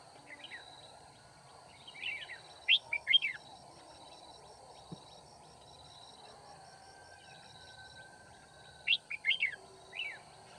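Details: During bulbul trapping at Kim Bôi, 9 February 2019, a red-whiskered bulbul used as a decoy gives two brief chirpy warbled phrases several seconds apart. A constant high ringing tone and low rural background noise fill the gaps.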